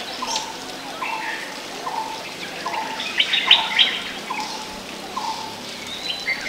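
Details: Yellow-throated bulbul (Pycnonotus xantholaemus), call notes from hilly rocky scrub in southern peninsular India: short, slightly falling mid-pitched notes about every three-quarters of a second, with brief higher chattering from other birds.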